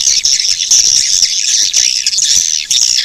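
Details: Loud, steady stream of high-pitched swiftlet chirping, shrill and buzzy, with only short dips in the chatter.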